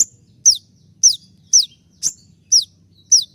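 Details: A molting konin singing the 'tembakan' shooting style used to train kept birds: seven crisp, high, downward-slurred notes spaced roughly half a second apart against quiet low background noise.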